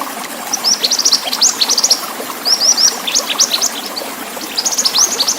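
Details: Pied bushchat in vigorous song, recorded as a training track for cage birds with a water sound: bursts of very high, rapid twittering and slurred chirps, several phrases separated by short pauses, over a steady hiss of running water.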